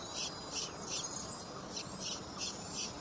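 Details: Little pied flycatcher nestling, hatched late and frequently left without food, calling in thin, high-pitched bursts that come in regular series with brief pauses between groups.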